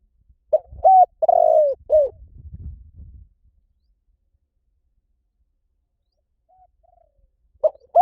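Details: Spotted dove giving one cooing phrase: a short lead note, then a long, slightly falling, rough coo and a final drooping coo, all low and mellow. Faint low rumbles follow, then near silence until another phrase begins at the end.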